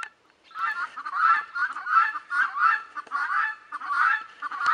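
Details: Guineafowl in the background of a Leghorn recording: loud, grating cries running together in uneven swelling bursts after a short quiet opening, with occasional clicks.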